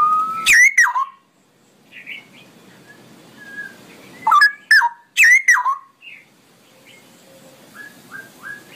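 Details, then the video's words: Straw-headed bulbul in long run-on song: loud, sharp, slurred whistles in short clusters, separated by quieter stretches with faint softer notes. "suara burung cucak rowo ropelan panjang"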